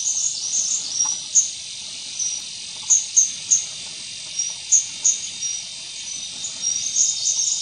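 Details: White-gorgeted flycatcher, subspecies leucops, calling at Doi Ang Khang, Thailand, on 24 March 2017: thin, very high, short whistled notes in loose series over a constant loud hiss of insects.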